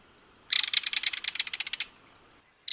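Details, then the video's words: Solitary Belted Kingfisher in Wisconsin gives its loud, dry, harsh rattle, a fast run of about fifteen clicking notes over just over a second, with a brief start of another rattle after a pause. "Belted Kingfisher"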